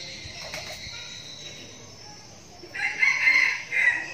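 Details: Young decoy red junglefowl from Bình Phước, Vietnam, giving a brief crow in the second half: a bright, hoarse phrase that rises and holds steady, after a quiet stretch of steady insect buzzing and faint background hiss.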